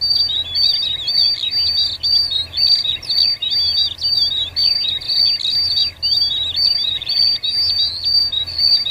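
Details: Wild Cinereous tit singing energetically, a master recording for training songbirds: dense, high twittering chatter of quick whistled and slurred notes, nearly continuous in short bursts with brief pauses, faint insect hum underneath.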